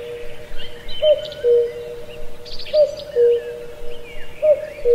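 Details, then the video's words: Cuckoo calling from deep forest in Pallandri, Azad Kashmir: three evenly spaced cu-coo phrases, each falling from a higher to a lower soft note, over faint twittering and short trills of other birds. "Cuckoo Birdsong"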